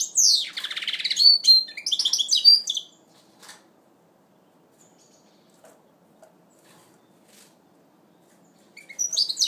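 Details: A goldfinch mule in first moult, 2012, gives a rich, sliding twitter with a swooping note and quick chirps for almost three seconds, then falls silent apart from faint clicks before a brief final phrase.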